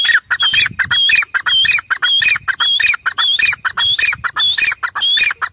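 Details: Grey francolin (teetar) calling loudly: a fast, harsh repeated phrase of clipped squawky notes, each group ending in a high whistled note, cycling roughly every half second through the whole stretch.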